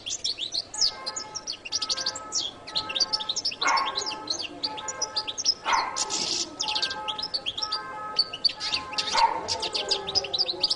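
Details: Continuous high-pitched twittering song of a Latin American jilguero, busy chirps and trills delivered nonstop, with occasional lower broad bursts in the background.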